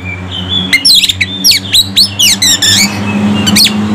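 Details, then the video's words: Provoked, agitated Oriental magpie-robin pours out a fast run of loud sweeping, rasping notes, pauses, then one more sharp note, over constant low droning hum. "KACER FULL MATERI BIKIN EMOSI"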